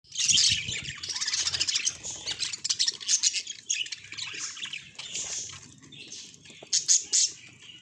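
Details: Pet budgerigar chatter: dense, scratchy warbling high in pitch, with chirps and squeaks tumbling together almost without pause. Short louder bursts rise out of it near the start and again around the seventh second. Faint low rumble underneath.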